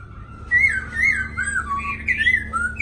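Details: Two caged black laughingthrushes in Hanoi, Vietnam, with one singing smooth 'lai dai' phrases: clear wavering whistles gliding up and down in a continuous line, closing on a bright upslurred note over a low hum.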